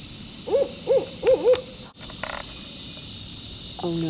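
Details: An owl gives four quick, hollow hoots, each rising then falling, about half a second apart, from directly overhead but unseen while a mother turtle buries her eggs nearby; a person's voice follows softly.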